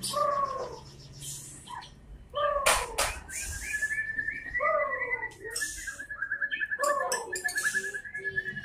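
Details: White-rumped shama singing: short whistled notes in falling pairs, sharp clicking bursts, then a long, even, rapid trill held at one pitch for several seconds before more slurred whistles return.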